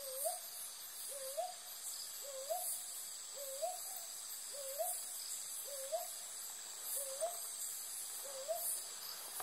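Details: Brown hawk-owl (Ninox scutulata), call.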